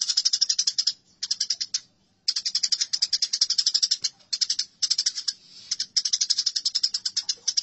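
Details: Eurasian tree sparrows in a fight: nearly continuous, rapid, scratchy chatter, broken by short silences, with the chirps pulsing several times a second.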